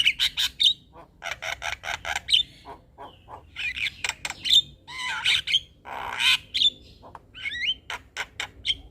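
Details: Song of a male Javan myna, played as a lure so other mynas answer: fast harsh rasping bursts mixed with sharp whistled squeaks, wheezy slurred notes and chattering phrases, loud and varied throughout.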